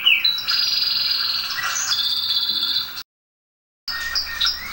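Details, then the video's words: Tutor song of a domestic canary: a high warbling trill with shifting tones, abruptly cut by a brief gap of silence before the singing resumes. "canto do canário do reino ,para ensinar canário."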